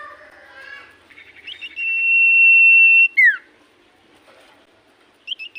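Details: Common iora in full song: soft warbled notes leading into a long, pure, steady whistle of over a second, ending in a quick downward-slurred note, then brief high chips.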